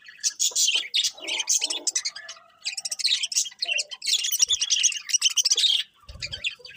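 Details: Several birds chirp together in the morning, bright, high twittering in fast clusters separated by brief pauses, with a low thud near the end.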